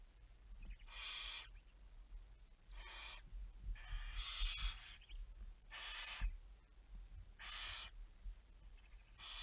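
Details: Barn owl recorded at 23:34 on 11 May 2019, giving harsh, breathy hissing screeches about every one and a half seconds, six rasping bursts in all, with faint soft ticking between them.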